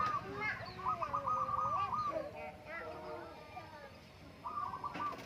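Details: Morning song of a zebra dove, locally perkutut, on the Menoreh slopes as farmers have breakfast: a long, fast staccato cooing trill, then a shorter burst near the end, with people talking nearby.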